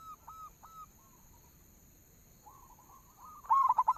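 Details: Local zebra dove (perkutut) lure song to set other birds singing: faint, short, flat cooing notes, a quiet gap, then a rising soft coo that builds into a loud, quick stuttering phrase at the end.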